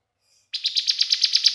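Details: Bar-winged prinia song used as a lure to make other birds sing: after half a second of silence, a rapid series of high, sharp chirped notes repeated about eight times per second, steady and insistent.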